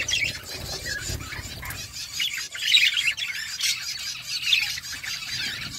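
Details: Several budgerigars chatter in a flock, steady warbled chirping broken by sharper squawks that swell in the middle.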